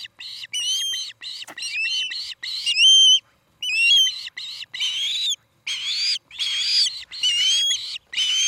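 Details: Evening calls from an Osprey at its nest near Charlo, Montana, August 2018, captured by a nest cam: rapid runs of shrill, ringing whistles with upward inflections, repeated almost continuously with brief gaps.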